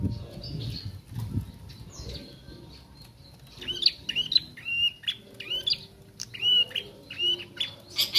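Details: Juvenile bar-winged prinia practising its song: after a few quiet seconds with faint rustling, a run of bright, high chirped notes starts, some slurred downward, repeated in uneven clusters toward the end.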